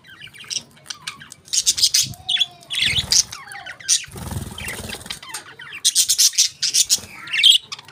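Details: Budgerigars kept as pets, chattering as they eat a favourite food: rapid high chirps and harsh squawks in clustered bursts, a short whistled note, and soft rustling or wing flaps between calls.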